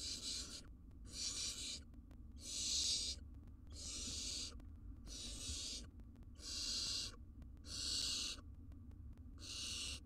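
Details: Wild barn owls at a monitored nest box as the male brings a large jird to his family: long, harsh rasping hisses, each about a second, repeated steadily with short gaps.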